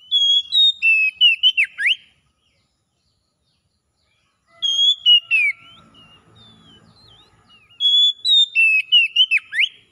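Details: Oriental magpie-robin 'ngalas' song as therapy for a bird that has stopped singing: three loud bursts of piercing whistles and falling slurs, the middle one trailing into soft notes over a low background murmur.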